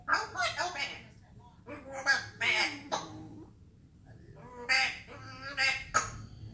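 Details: An African grey parrot imitating rude noises, burping and farting: a rapid run of harsh, honking bursts, a short quiet gap, then three more loud raspy bursts spaced about half a second apart.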